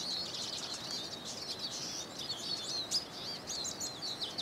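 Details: Eurasian siskin singing a lively, unbroken twitter of high chirps, thin whistles and twangy slurred notes, delivered fast and with little pause.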